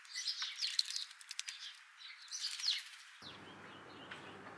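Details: European starlings stopping by for a morning bath; dense scratchy chirps and clicks with brief whistled notes in two bursts, then the sound cuts to quiet background.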